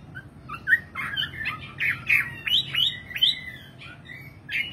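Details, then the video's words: Nightingale song, softer and more distant, with short chirps and slurred notes, a few brighter upswept whistles in the middle, and pauses between phrases. "Singing nightingale. amazing bird song"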